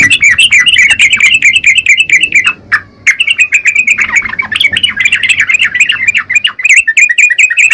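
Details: Yellow-vented bulbul pouring out gacor chatter, a nearly continuous rush of quick, bright, wavering chirps with a brief drop in the middle before the stream carries on.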